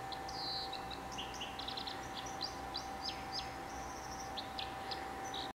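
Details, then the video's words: Wild white-throated dipper singing in the Derwent Valley at Lochaugh, Durham, on 26 December: a rapid high scratchy warble of short sharp notes and trills over a steady rushing-water background with a faint constant hum. "Dipper song"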